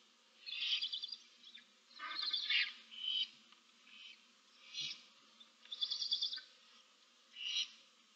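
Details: Barn owl owlets, seven chicks in a nest box, 15 March 2024: softer wheezy, rasping hisses repeat at irregular intervals of roughly one to two seconds over a low steady hum.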